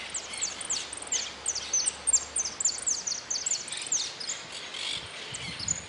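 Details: Goldfinch in a singing contest, interclub cup closing, 04-03-18, pouring out a long, dense series of sharp, high downslurred notes in rapid succession, then trailing off; a low thump near the end.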